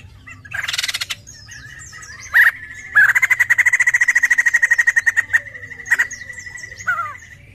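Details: White-crested laughingthrush singing as a lure sound: a harsh noisy burst, sharp clicks, then a long, rapid series of pulsed notes on a steady pitch, ending with a few separate calls.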